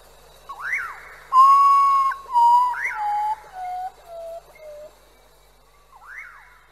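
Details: Common potoo (urutaú, guajojó) singing: after a couple of short upswept notes comes a slow sequence of about six clear whistles, each lower than the previous one and fading, and then another short rising note.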